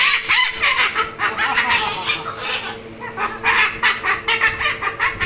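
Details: Moluccan cockatoo laughing "hahahaha": rapid, harsh, harmonic bursts repeated about four to five times per second in uneven runs, with a steady low hum underneath.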